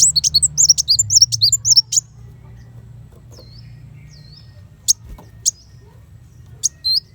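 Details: Kolibri wulung sunbird giving a fast chattering flurry of high tweets, then sparse thin whistles and sharp ticks; the 'tembakan besetan pedas' song serves as master audio for contest white-rumped shamas. A soft hum sits underneath.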